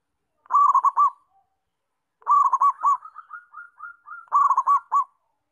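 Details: Zebra dove, a local perkutut in full song: short bursts of rapid, rolling coos near one pitch, a trilled phrase repeated about every two seconds, with softer trailing coos between bursts.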